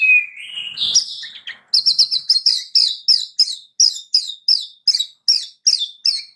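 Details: Song of a White-rumped shama, played to prompt caged birds to sing and to restore a bird's singing: a rising whistle, then a rapid series of about fourteen sharp, repeated chirping notes at an even pace.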